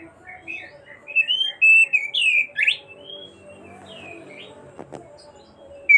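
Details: Oriental magpie-robin singing on and on to call its companion, giving a varied phrase of whistled slurs and quick rising and falling notes, then a quieter pause with a brief click and a faint low hum.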